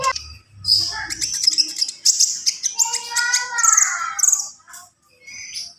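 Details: Javan pied starling in energetic song, mixing high shrill whistles, rapid chirps and lower harmonic warbling notes that rise and fall, followed by a short pause and a final note.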